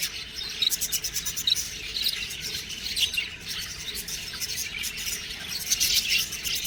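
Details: Young budgies chatter in high, rapid, scratchy chirps that rise and fall in loudness, several birds calling over one another throughout.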